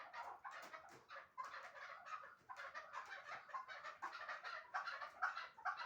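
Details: Chukar partridges kept for hunting in Shahritus, a pair praised as top 'mastak' birds, pour out quick, uneven clucking notes, about two per second, in a steady overlapping chatter.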